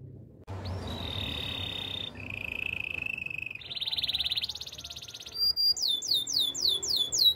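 Belgian canary song: rapid, steady trilled rolls at several high pitches, each held a second or more, then a run of quick swooping whistled notes.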